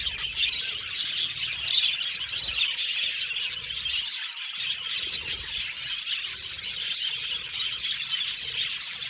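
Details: Unbroken high chatter from a group of budgies, tweets, squeals and rasping warbles layered thickly together, keeping a steady loudness throughout.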